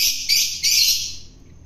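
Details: Long-tailed shrike obtained from the wild, fed by hand for taming, gives a loud, harsh, rasping screech in two or three quick pulses that trail off within about a second.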